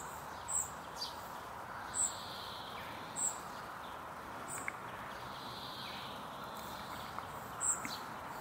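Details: A spotted flycatcher chick begs its mother for food as she feeds it, giving thin, very high squeaks: four brief notes spaced one to a few seconds apart, over a steady rural background hiss.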